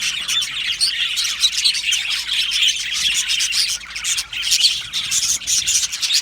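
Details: Australian budgerigars in an aviary colony, a dense continuous chatter of many overlapping chirps and warbles, high-pitched and busy, dipping briefly near the fourth second before swelling again.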